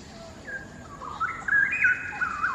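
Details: Straw-headed bulbul singing in a quarry in Singapore, heard from afar across the open space: soft notes first, then a louder rising, bubbling warble building toward the end.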